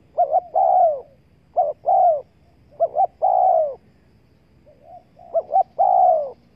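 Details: Wild-dove lure from a spotted dove: three-part phrases, two short rising-falling coos then a long, rough, descending coo, spaced about a second and a half apart over soft low noise.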